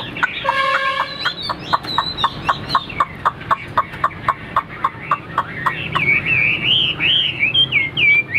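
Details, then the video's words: Tame captive Chinese hwamei that arrived this morning: stacked harsh notes open, then a steady run of sharp repeated notes, about four per second, ending in rising and falling whistled phrases over background noise. "CHIM THUẦN - HÓT TỐT"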